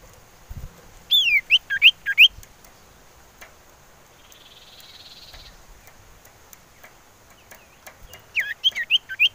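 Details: Female common iora heard in the wild, used to lure birds: rapid series of slurred, zigzagging whistled notes, a soft buzzy passage, then another quick run of whistles.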